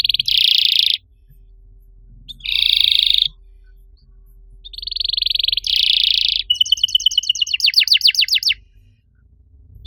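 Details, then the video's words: Canary master song for coaxing other canaries to sing, made of several separate harsh buzzy rolls with pauses between them, followed by a rapid trill of sharp descending notes. "MASTERAN KENARI AMPUH BUAT MANCING KENARI LAIN YANG MACET BUNYI! - CANARY SINGING"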